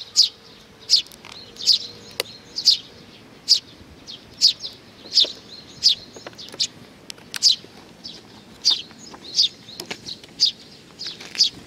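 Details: Sparrows gathering to be fed on 15 May 2019 keep up a long series of high, sharp chirps, spaced under a second apart and fairly steady, with a few faint clicks.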